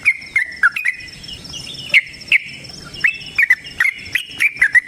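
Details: Yellow-vented bulbul in its long fighting song used as a lure: sparser, sharp whistled notes spaced irregularly, with a steady faint hiss underneath.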